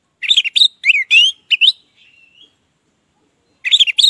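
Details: Orange-headed thrush song meant to prompt silent birds to sing: quick varied phrases of rising and falling whistles and slurred notes, a thin trailing note, then silence before another brief burst.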